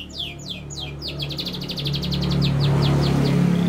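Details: Singing canary, said to be learning head-shaking, delivers a run of fast descending whistled notes that flow into a rapid, even trill, over a constant low droning hum.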